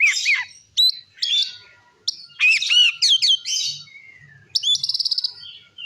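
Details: Energetic Oriental magpie-robin ngeplong song, used to rile other magpie-robins: varied whistled phrases with swooping slurs, harsh buzzy notes and a fast rattling trill near the end. Faint low knocking sounds in the background.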